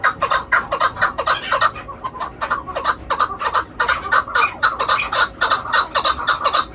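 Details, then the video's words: Shikari chukar calling in a quick, dense clucking rattle of chuk notes, with a brief pause near the two-second mark before the series resumes faster. "shikari Chakor"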